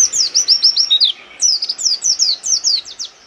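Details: Oriental white-eye, a kept songbird, singing hard with open beak to provoke rivals: rapid high twittering phrases of short descending slurred notes, a brief pause, then a second fast run of sharp chirps.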